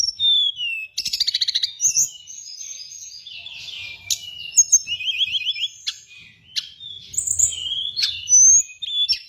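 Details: Hill blue flycatcher lure song for training birds: fast buzzy rattles and rapid trills mixed with bright whistled notes in a busy, tumbling high-pitched stream.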